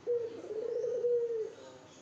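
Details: Courting spotted dove directing a single long, soft, low coo at a female, steady in pitch and sliding down slightly at the end, in a quiet indoor setting.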